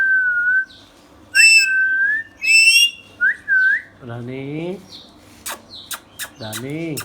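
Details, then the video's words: Pet Indian ringneck parrot giving clear whistled notes near the same pitch, some rising and upswept, mixed with clicks and a few harsh, buzzy, down-curving calls, in a quiet indoor room. "Ringneck Parrot natural sounds"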